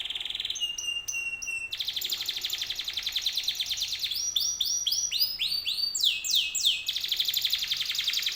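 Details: Canary singing to draw other canaries into replying: rapid trilled rolls alternate with rows of arched whistles and falling sweeps, a long varied song with fast pulsed passages and no other sounds.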